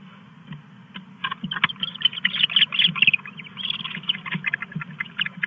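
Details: Owls recorded on a nest camera at 8:42 PM on 2 August 2015 as a third owl arrives. The clip holds bursts of rapid, scratchy chittering and squeaky notes that come in clusters over a low steady hum.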